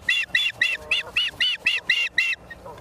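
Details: Osprey at a live-camera nest in Charlo, Montana, late afternoon of 28 September 2023: nine quick, harsh, ringing chirps in an even rhythm, ending with a soft faint note.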